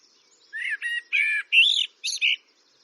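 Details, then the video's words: Eurasian blackbird giving a run of six short, rich warbled notes in quick succession, each slightly buzzy and fluting, with a faint high hiss behind. "Eurasian Blackbird Signing Relaxing Birdsong"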